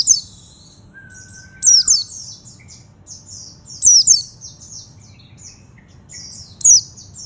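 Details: Oriental white-eye singing high, thin twittering phrases with sharp slurred notes every two to three seconds, softer chatter between, and a brief steady whistle early on.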